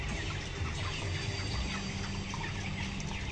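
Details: Dense peeping from a crowded flock of 22-day-old broilers, about 1190 grams each, in a 12,000-bird closed house, upper floor; brief high chirps overlap continuously above a loud low hum of fans.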